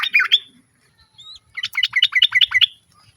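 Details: Female sooty-headed bulbul calling to her male, answered by other birds. A brief trill opens, then after a pause comes a tight run of about eight sharp, bubbly notes, fairly evenly spaced.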